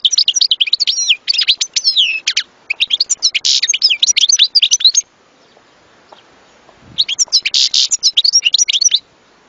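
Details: European goldfinch pouring out a long, rapid, jingling twitter of high chirps, slurred notes and buzzy trills, in two extended runs separated by a short silence.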